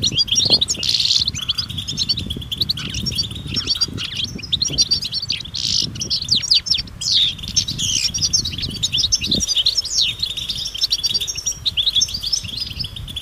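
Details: Group of European goldfinches in nature, calling to spur silent males to sing: continuous bright twittering and chattering with short buzzy bursts, over a low rumbling background and occasional thumps.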